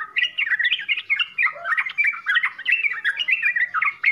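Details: Sooty-headed bulbul pouring out a filled 'full isian' song: rapid warbling notes, some slurred downward, delivered in quick clusters with brief gaps.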